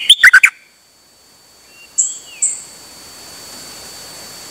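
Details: Dok Taeng bird singing on 8 September 2023, out for a rare trip and calling continuously: an opening burst of choppy notes, then a soft slurred whistle and two thin high piping notes.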